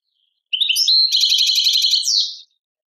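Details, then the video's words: Tadmait-style European goldfinch song from Algeria: a single continuous phrase of quick rising chirps leading into a rapid, rattling trill of metallic notes, closing with a bright descending slur. "chardonneret chant tadmait"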